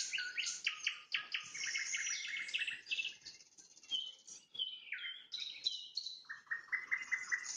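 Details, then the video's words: Sunset nightingale song with rapid series of repeated clipped notes, sliding whistles and sharp high chips, one phrase running into the next with hardly a break. "Пение соловья на закате, соловьиные трели"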